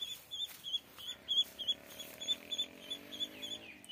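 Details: High, piping peeps from ducklings, coming in loose, uneven bursts of two or three at a time over four seconds, with a soft low murmur underneath.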